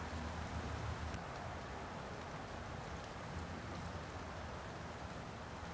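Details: Steady rain-like hiss over a low rumbling wind or engine noise throughout, with no animal calls.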